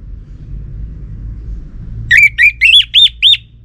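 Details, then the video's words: Orange-headed thrush lure call: after quiet background hum, five evenly spaced, rising whistled notes delivered quickly, each slurring upward. "Ga Bunyi Dengan Pancingan Burung ANIS MERAH Ini dipastikan Itu Burung Betina, Jantan Pasti Nyaut"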